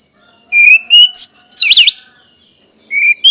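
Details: Orange-headed thrush song, used as a lure to prompt caged birds to sing: clear whistled phrases, some level and some sweeping, with a rapid wavering trill near the middle, over a steady high hiss.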